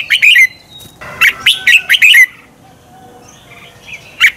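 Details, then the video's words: Red-whiskered bulbul song for stimulating competitive singing: rapid warbled phrases of bright whistled notes in the first half, then near silence with soft distant chirps and a single final note. "Luyện chào mào hót sáng Giọng xoắn kép hay KÍCH CHIM CĂNG HÓT ĐẤU"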